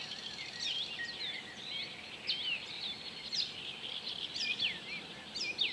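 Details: Icterine warbler (Hippolais icterina) singing at Joachimów Mogiły reservoir, Poland, 27 May 2017: fast unbroken jumble of high chattering notes, sharp whistled slurs and sudden squeaky upsweeps over soft background hiss.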